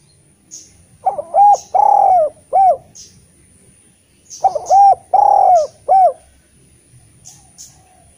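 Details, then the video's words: Vocal Eurasian collared dove, recorded as a lure to prompt quiet spotted doves to sing, gives two repeated phrases of soft low coos: a brief lead-in, a drawn-out slurred coo and a short final note, with faint chirps in the background. "Derkuku gacor cocok untk memancing tekukur bahan yg malas bunyi N menjadi Masteran derkuku terampuh"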